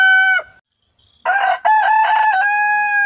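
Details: Heritage-breed rooster crowing: the end of one crow, a pause, then a loud, harsh crow that starts rough and broken and settles into a long, level, drawn-out note.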